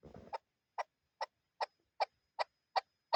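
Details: Eight separate sharp chuk notes from a Chukar partridge, spaced about every 0.4 seconds, after a short burst of low noise at the start.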